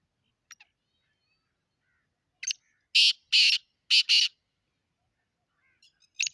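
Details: Black francolin, Sindh, Pakistan: one bout of loud, scratchy call notes, a short lead note followed by two pairs of rasping bursts, faint calls before and after in a quiet setting.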